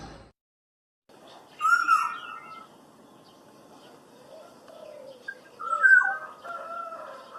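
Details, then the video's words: Wild black-naped oriole giving a melodious song: clear mellow whistles, steady then falling, heard around two seconds and again near six, with softer warbling notes between them against a quiet background. "Burung Kepodang Kicau Burung Merdu"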